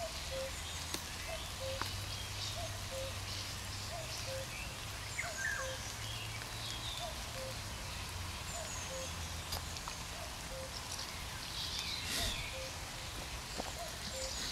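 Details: Common cuckoo calling in a forest on 2 June 2020: soft, low two-note cu-coo, the second note lower, repeated steadily about every 1.3 seconds, with high chirps of other birds and a low background rumble.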